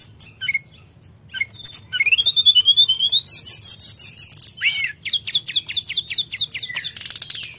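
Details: Sooty-headed bulbul singing actively. A long rising whistled glide leads into fast repeated sharp chirps, about three per second, then dense high buzzy trills. The song is almost unbroken.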